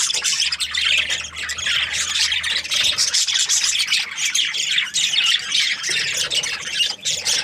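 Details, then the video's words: A group of Australian budgies in breeding season chirps and squawks constantly, high buzzy warbles overlapping in a thick chorus. "Happy budgies chirping sounds |Australian budgies breeding season"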